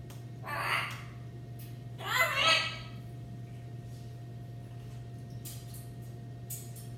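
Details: Two pet macaws being vocal indoors: two harsh, raspy broadband squawks, one short and one longer double burst, followed by several seconds of quiet with a steady low electrical hum in the room.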